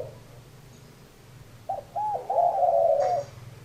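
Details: Spotted dove giving two brief low hoots followed by a longer, slightly rough coo that fades out after about a second and a half.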